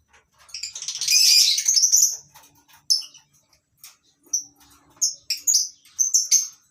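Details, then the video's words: Colony aviary of lovebirds, several species, on a breeding farm in the morning: a long noisy burst of overlapping chattering, then quick repeated shrill chirps at a brisk pace. "Suasana Pagi Di Peternakan Burung Lovebirds Di Kandang aviary mini"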